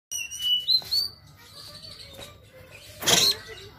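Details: Oriental magpie-robin, stubbornly fighting with tail spread, giving rough shot-like notes: sustained clear whistles near the start, then quieter warbling and one loud harsh rasping burst near the end over a low hum.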